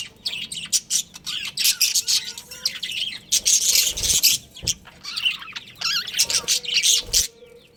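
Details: Budgerigar breeding pair kept as pets, a busy stream of bright, high chirps and warbling twitters in quick bursts with short pauses, several birds calling over one another, faint low rumble underneath.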